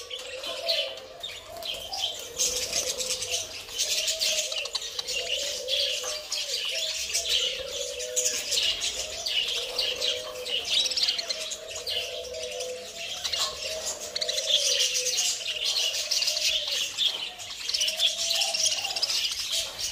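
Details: Pet budgerigars chatter nonstop with high, scratchy warbles and quick chirps, many birds calling at once.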